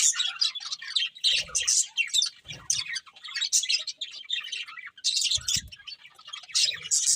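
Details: Eating budgerigars keep up a busy, scratchy warble of overlapping chirps and twitters, rising and falling in loudness, with occasional low taps or knocks in the background.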